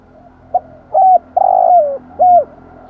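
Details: Spotted dove cooing for rousing wild birds, in thúc gù style. A soft pip, a doubled clear coo, a long buzzy quavering coo sinking in pitch, then an arched clear coo, over faint steady hum.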